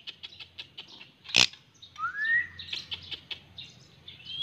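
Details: A pet white-rumped shama gives a run of short, sharp chirps, then a clear whistled note that rises and levels off, followed by more quick chirps; a faint low hum sits underneath.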